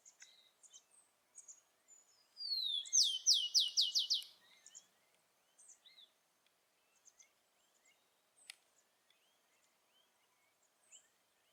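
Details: In natural surroundings, a wild rufous-collared sparrow gives one song: a sliding introductory whistle, then a fast series of high, downward-slurred notes, set among soft background chirps from other birds.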